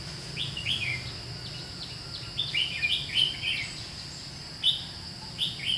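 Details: Red-whiskered bulbul, white-cheeked 'gấu mèo' type, singing during bird trapping on 17 July 2016: short warbled, slurred phrases in bursts, with quieter gaps between them, over a steady high insect-like hum and low background rumble.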